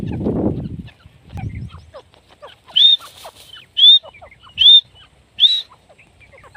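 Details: Female grey francolin (teetar) calling: four loud, sharply rising whistled notes spaced about one second apart, preceded by low rumbling noise and scattered soft chirps in the background.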